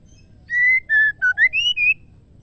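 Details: Female Oriental magpie-robin calling a male with six clean whistles: a long level note, then shorter ones that dip and then climb to a higher, slightly falling final note.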